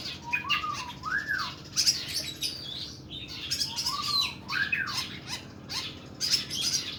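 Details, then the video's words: Oriental magpie-robin, kuku bima type, mixing low arched whistles that rise and fall with bursts of harsh, rasping high notes in a long, rough song. "KACER KUKU BIMA NEMBAK PANJANG & KASAR"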